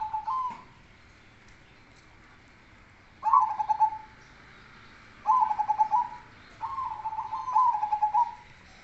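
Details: Zebra dove of the cemani kolbuntet type singing with a bass voice, giving soft cooing phrases of rapid pulsed notes that fall slightly, repeated with pauses of one to two seconds, over quiet background hiss.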